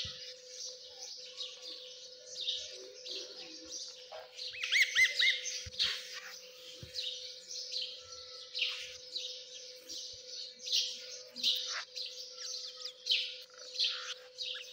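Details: Several partridge chicks (Dakani Teetar) chirping softly in a high, thin chorus. A louder burst of rapid peeps comes near the middle, over a constant low electrical hum.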